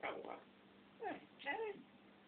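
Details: Camera-shy African grey parrot talking: three brief voiced, speech-like utterances with gliding, wavering tones, spaced about half a second apart over a low steady hum.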